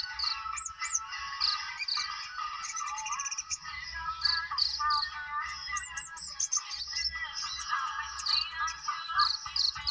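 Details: Caged purple-throated sunbird from Indonesia, kept by songbird hobbyists, in song still lacking one learned cililin imitation; dense rapid high twittering and sharp chirps with shifting phrases over a steady low hum.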